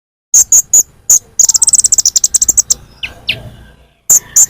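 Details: Lure recording of sunbird calls. Thin, very high chirps, a few spaced apart, then a fast run of about a dozen notes. Two lower descending notes follow before more isolated chirps.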